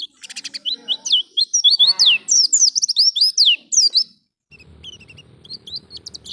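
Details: Wild-style 'ngalas' song of Oriental white-eye, used to prompt caged birds into song: quick, high twittering phrases of sweeping chirps for about four seconds, a short silence, then softer, sparser chirps over faint low background noise.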